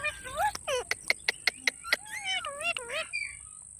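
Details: Green parrot chirping: swooping warbled calls mixed with a rapid series of sharp clicks, then curving chirps ending in a fading whistle, over a constant high tone.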